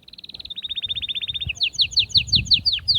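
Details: Atlantic canary song to arouse females for breeding: a rapid trill, then a slightly lower trill, breaking into a string of bright sweeping chirps repeated several times a second.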